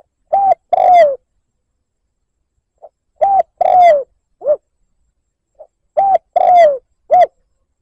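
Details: Rival-provoking lure call of a spotted dove: repeated cooing phrases of a short coo, a long descending coo and a clipped final coo, each preceded by a faint pip, three times over the stretch in quiet surroundings.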